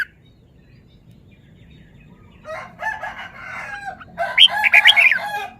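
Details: Caged red-whiskered bulbul showing off its song phrases: after a quiet start, a dense buzzy warble builds into a string of bright, ringing whistled notes in the last seconds.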